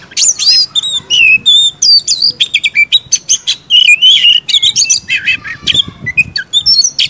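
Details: Kacer, the white-rumped shama, singing a dense string of high sweet whistles mixed with rasping chatter, phrases tumbling one after another at a steady fast pace.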